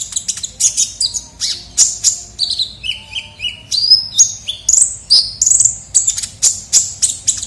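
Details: Energetic kolibri ninja sunbird lure recording: fast high ticking chirps mixed with short whistled notes that drop and rise, phrases repeated steadily throughout.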